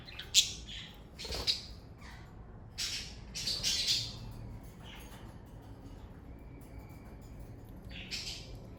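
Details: Domestic budgerigars from a parakeet family give harsh squawks and scratchy chirps in separate bursts, with two loud sharp calls early on, a longer chattering phrase in the middle and quieter gaps between.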